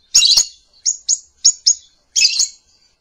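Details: Lovebird calling: sharp, high chirps in short bursts, a buzzy double note, then paired single chirps and another chattering burst, spaced unevenly over three seconds, clean background.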